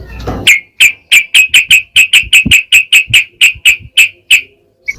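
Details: Yellow-vented bulbul sound used to provoke other bulbuls into singing; a loud, rapid series of about sixteen sharp, bright notes repeated steadily, roughly three per second, after a brief low rustle.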